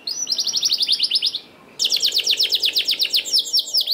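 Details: Canary singing as a lure to prompt lazy canaries to sing: rapid rolling trills of repeated high notes, a brief pause, then a faster, sweeping trill series continuing to the end.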